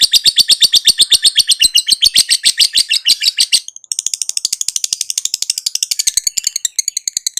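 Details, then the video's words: Lovebird chattering on and on: dense, rapid buzzy trill about four notes per second, a brief pause, then a higher, thinner run of repeated notes continuing to the end. "KICAU TERAPI BURUNG LOVEBIRD LANGSUNG NGAKAK NGACOR NGEKEK"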